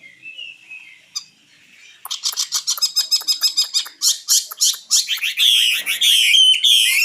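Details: A common nightingale in 2016 opens with a faint whistle, then delivers a crescendo of evenly repeated sharp high notes, about four per second, before a loud buzzy whistled flourish.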